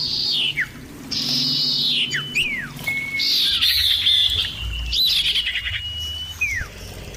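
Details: Common iora song, several birds calling back and forth, loud and clear: sharp descending whistled slurs, long level whistles and buzzy rising-falling phrases overlapping, with a faint low hum beneath.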